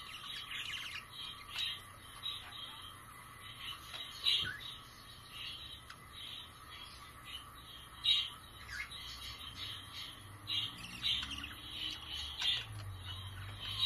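Budgerigars chirp and chatter in bright, scratchy bursts, several birds calling over one another.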